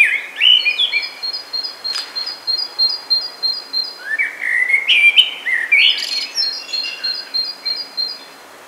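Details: Common blackbird singing melodious, fluty warbled phrases that rise and fall, with a loud burst of phrases midway. A second bird repeats thin, high chirps steadily in the background throughout.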